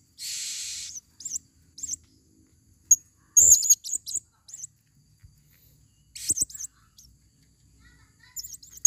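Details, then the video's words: Female blue-crowned hanging parrot lured in the forest, giving very high, thin calls: a long buzzy trill, then short sharp squeaky notes in irregular bursts, with a few soft low thumps. "Serindit Suara paling banyak"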